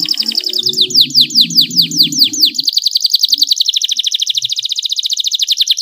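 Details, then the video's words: Canary singing to encourage other canaries to sing: a series of loud slurred downward whistles about four per second, speeding into a very rapid even trill, with a low hum beneath the opening. "cuitan kenari untuk merangsang agar gacor dor"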